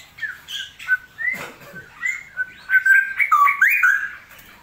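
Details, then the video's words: Cucak rowo, or straw-headed bulbul, at a time of frequent rainfall. Short chirps lead into a flowing, gurgling warble of liquid whistles that rise and dip repeatedly. "CUCAK ROWO GACOR/TIDAK?"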